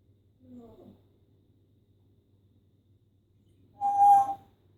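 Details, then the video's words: An adopted female pet parrot with plucked feathers, kept indoors, runs through her repertoire of sound effects: a short low chattering note, a pause of about three seconds, then a louder, brief, harsh, ringing squawk rich in overtones. "Daphne, my little plucked adoptee, going through her sound effects"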